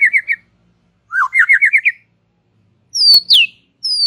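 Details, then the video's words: White-rumped shama relaxed song: a short burst of wavy trilled notes after a rising slur, then loud falling whistles higher up, with brief gaps between phrases. "Ocehan SANTAI Murai Batu"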